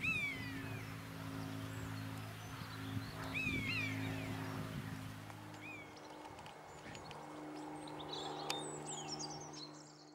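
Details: Common buzzard in flight calling for a mate, giving several thin, downslurred mewing whistles spaced a few seconds apart against a steady low hum and background noise.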